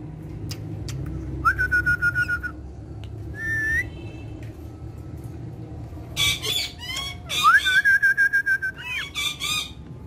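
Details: Talking parrots of one family, playing and speaking Urdu and Hindi: long steady whistled notes, a stuttering tonal run, then louder rasping squawks and another held whistle over faint room hum.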